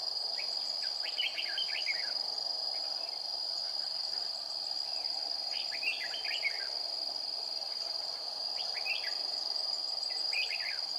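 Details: During a trapping session on a hot 40-degree day, 20 April 2019, a decoy red-whiskered bulbul gives a fighting song. Clusters of bright warbled notes come at a few-second intervals, with constant shrill insect buzzing behind.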